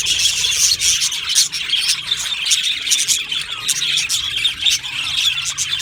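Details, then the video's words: Budgerigars, Australian budgie parrots, in an aviary colony, keep up a dense, unbroken chorus of high chirps, warbles and squeaks, many birds calling over one another without pause. "Budgie parrot chirping sounds"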